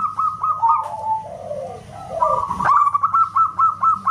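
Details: ['Local zebra dove (perkutut) song, loud and likened to a whistle: rapid runs of short, clipped, even-pitched notes, broken midway by lower sliding phrases, with a sharp knock before the steady repeated notes resume.']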